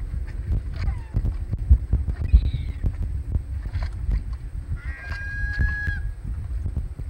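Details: At the Audubon Boathouse osprey nest on 2 August 2020, a great black-backed gull gives one drawn-out, nasal call near the end after a few fainter calls, over heavy low wind rumble.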